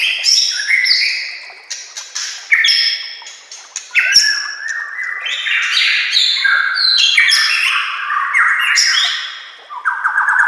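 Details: White-rumped shama (murai batu) song used to teach other shamas: bursts of varied whistles and crackling chatter, some phrases rising in steps, a long sustained warbling passage midway, ending with a quick rising trill.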